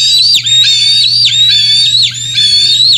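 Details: Bald eagle at Decorah North on a June 2024 morning, when adults and juveniles were trading fish; high, piercing whistles held steady and then snapped downward, about five in a row, with a faint low hum underneath.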